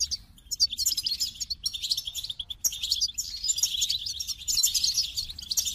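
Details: A goldfinch delivers a continuous chattering warble of high, metallic twitters and buzzy trills with barely any gaps.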